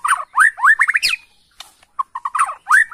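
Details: Emotional, excited white-rumped shama of Borneo used as a lure: lively rapid phrases of looping whistles and chattering notes, a brief pause, then clipped notes and more looping whistles.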